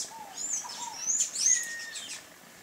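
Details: Sayaca tanager giving thin, squeaky, very high notes that slide up and down, with a longer level whistle near the end and faint lower slurred whistles beneath.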